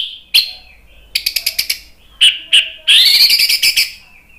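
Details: Loud, free-flowing song of an Orange-headed thrush from Indonesia: a lone high note, a fast stuttering burst of chips, two separate whistles, then a dense rapid trill of bright repeated notes.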